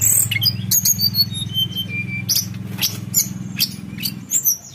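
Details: Javan whistling thrush in a training recording for keeping birds, song in the flute-like rolling style called nyuling ngerol: thin high whistles and slurred notes over a steady low hum, with sharp chirps in between.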